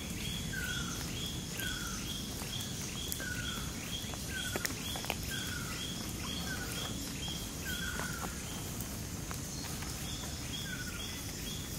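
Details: Ruddy kingfisher in Johor Bahru, Malaysia, June 2022, captured with a Sony a9: a series of downslurred mellow whistles roughly every second, accompanied by another bird's rapid higher repeated notes and constant hiss.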